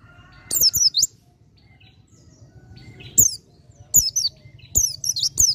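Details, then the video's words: White-eye, dakun type, singing full 'ngalas', nearly 'nembak': separated bursts of high descending twitters that grow closer together toward the end, over a soft low hum. "PLECI DAKUN FULL NGALAS HAMPIR NEMBAK"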